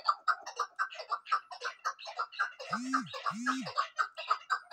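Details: Female chukar partridge giving rapid repeated clucking chuck notes, close to two each second. Midway, two brief lower arching tones overlap the series, which continues without a break to the end.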